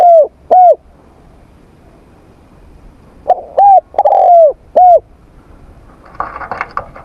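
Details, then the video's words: Morning voice training of a spotted dove: paired short coos, then a longer drawn coo and another short note, with a brief faint rustling noise near the end. "Tiếng Chim Cu Gáy// luyện giọng cu gáy buổi sáng cực đỉnh."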